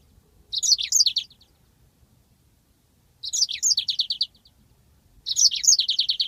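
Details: Yellow-fronted canary singing for bird-training use: three separate bursts spaced about two seconds apart, each of slurred high notes ending in a quick rolling trill.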